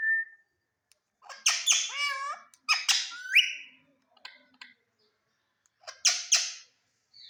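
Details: Indian ringneck parrot kept indoors, talking to its reflection in a mirror: bursts of harsh, buzzy, warbling chatter with rapid pitch bends, separated by short pauses, and a faint squeak at the start and end.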